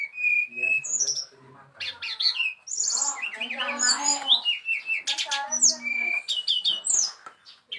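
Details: Varied song of a brown-chested jungle flycatcher: sharp high whistles, short downslurred notes and fast chirpy trills in shifting phrases, over a steady background of people talking.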